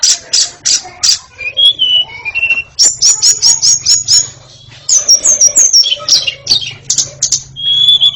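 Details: White-rumped shama delivering loud repeated sharp notes, short whistled phrases, a rapid series of high chips and bright descending slurs, ending on a long level whistle.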